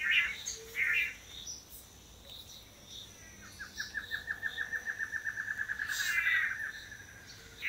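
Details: Long-tailed Manakin males taking turns at courtship display on a lek in Costa Rica: a few short chirps, then a fast string of buzzy notes, about eight a second, swelling for three seconds. Faint forest hum.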